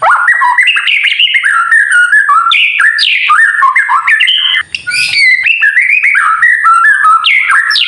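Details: White-rumped shama, a kept bird, singing to stir other birds into singing: a continuous, rich run of varied whistled and warbled notes, stepping up and down in quick succession, with a brief break near the middle.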